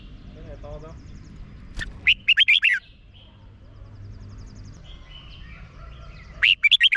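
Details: Red-whiskered bulbul song from Thailand, played to make caged birds lively: a sharp click, then a quick burst of five or six chirpy whistled notes. A second phrase follows after a pause, with faint soft notes in between.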